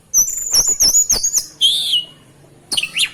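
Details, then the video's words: During a bath, an oriental magpie-robin gives high, clear warbling phrases over sharp clicking splashes, then a lower drawn-out whistled note, a brief pause, and a fresh run of rapid twittering notes. "Kacer, Proses pemandian kacer kicau"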